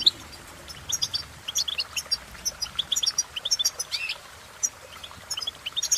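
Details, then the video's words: Cheerful goldfinch twittering: sharp high chirps mixed with a short rising-falling whistled note near the middle, in irregular bursts. "impress The Goldfinch With Bird Melodies"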